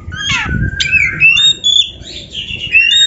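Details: Oriental magpie-robin training song: smooth slurred whistles, some wavering, strung together with short buzzy notes over faint low background noise.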